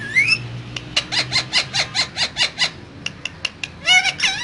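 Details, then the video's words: Pair of green parrots in a cage, talking: a quick rhythmic series of about a dozen clipped, buzzy chattering notes, a few sharp clicks, then a final pair of hoarse squawks. "Two Green Cute Parrots Talking In Cage So Cute"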